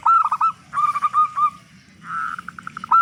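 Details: Lure recording of a loud local zebra dove meant to make other doves sing: short bursts of clipped cooing notes, then a drawn-out purring coo followed by quick fading notes.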